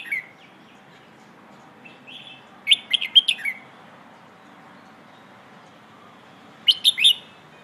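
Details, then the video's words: 'Phleng ho' style singing of a red-whiskered bulbul, used to train young birds: a brief opening chirp, then a lively phrase of four to five quick whistled notes, and another short bright phrase near the end. "เพลงโห่ เสียงฝึกร้องนกกรงหัวจุก"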